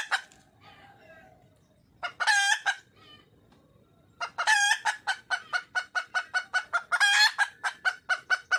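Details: Wild junglefowl hen calling for a male: soft low murmurs, then loud raspy cackles followed by an even, rapid train of clipped clucks with further drawn-out cackles mixed in.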